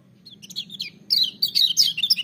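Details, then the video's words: Lemon-bellied white-eye song starting with scattered high chirps, then swelling into a fast, loud torrent of sharp, thin falling notes over a low background hum. "Kecial Kuning joss gacor menggelegar tapi merdu"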